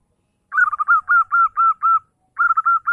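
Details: Morning song of a zebra dove, used to call in rival birds: a string of rapid cooing notes, each slightly falling, then a pause and a second run starting, in a quiet setting.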